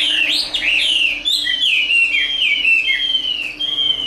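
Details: Fighting song from a fully tame Chinese hwamei. A continuous, loud, clear whistled warble slides and wavers up and down, with brief sharper accents and no other sounds.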